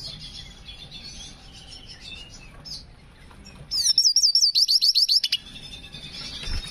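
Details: Hooded siskin in breeding condition, singing actively with a unique song style: after quiet twittering, a loud burst of rapid, high, wavering whistled notes repeated several times a second for about a second and a half, then soft chatter resumes.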